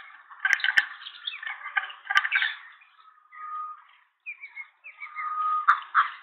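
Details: Green wood hoopoe at a nest cam in Pretoria, South Africa, 21 April 2023, when the female had her first chick: rapid, harsh cackling chatter, with a few sharp knocks and clicks between the bursts.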